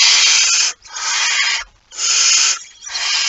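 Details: Barn owl at its nest with prey on 23 September 2019, just after midnight; breathy, snoring hisses running almost continuously, with three long bursts broken by short dips.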